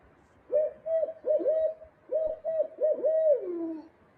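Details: Barred Owl recorded near an oxbow pond on Ho-Chunk woodland property: a run of deep, rhythmic hoots in two bursts, the last drawn out and sliding downward at the end; nothing else is heard.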